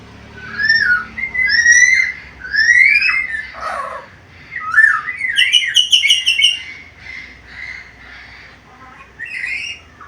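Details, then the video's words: Captive black-capped lory, used as a tutor recording, giving varied sounds: whistled, rising and falling phrases mixed with harsh squawks and a rapid high chattering burst, indoors with low background noise. "MASTERAN BURUNG NURI KEPALA HITAM GACOR BISA NGOMONG SUARA BERVARIASI"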